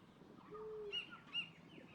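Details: Torresian kingfisher (Todiramphus sordidus), formerly Collared Kingfisher, at the northern end of the Cairns esplanade, Queensland, Australia, on a sunny day with the tide going out: two short, sharp, high notes about half a second apart over faint low hum.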